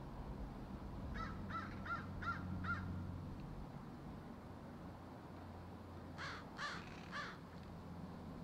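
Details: Crows from a crowded tree give a run of five evenly spaced harsh caws, then a pause and three more hoarse caws, over a low background rumble.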